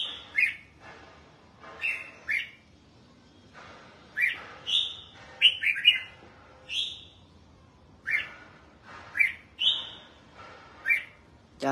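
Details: Red-whiskered bulbul, a kept bird being bathed and sunned, singing bright whistled phrases, roughly a dozen short bursts over twelve seconds, some with quick falling notes, separated by brief pauses; quiet background.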